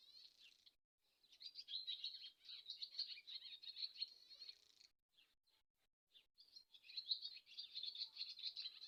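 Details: Swallow twitter in two long bursts of rapid, buzzy warbling chatter, separated by a stretch of scattered short clicks and chips in the middle.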